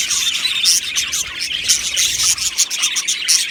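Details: Chirping and singing Australian budgies crowd an aviary with bright, repeated high chirps and squeaks over continuous warbling chatter.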